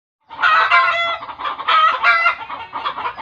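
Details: Chicken alarm call, said by village belief to be a reaction to seeing a ghost: harsh, harmonic cackling squawks in three or four loud bursts, with rapid nasal clucks between them.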